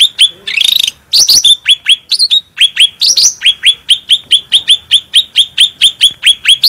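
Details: Vocal cucak rante bulbul, clear and powerful, recorded as a training master for other songbirds. A buzzy trill and mixed sharp notes lead into a long, quick series of downslurred chirps, just over two per second.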